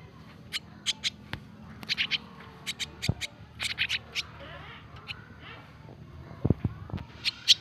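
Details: Young starlings from a freshly taken nest, raised and hand-fed each day, give rapid, scratchy chirping bursts in uneven runs, mixed with low thumps and handling knocks.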